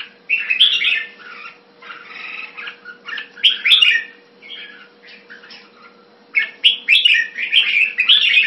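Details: Red-whiskered bulbul in a cage, Singapore, Thai keeping style, 2018. Clustered bursts of lively, bubbling whistled notes come with gaps of about a second, and the louder phrases return at the end. A steady low hum continues.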